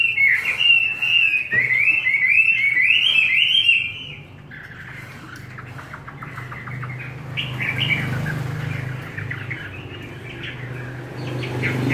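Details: Chinese hwamei singing forest-voice style on homemade feed: four seconds of loud, bubbling rising whistles, then the song drops to a softer, distant-sounding chatter of quick notes over a low background hum.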